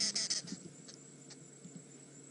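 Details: Arrow-marked babblers, possibly mobbing a passing leopard, on an afternoon safari drive in South African reserves on 30 August 2016: a quick burst of harsh, rasping chatter, four or five notes in half a second, then scattered faint notes over soft hiss.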